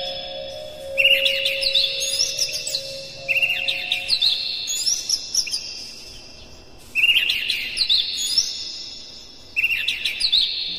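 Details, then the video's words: Oriental magpie-robin singing to stir other magpie-robins into song; rich bursts of whistled and chattering phrases recur roughly every three seconds, with a low steady tone in the background. "Suara PANCINGAN KACER paling gacor"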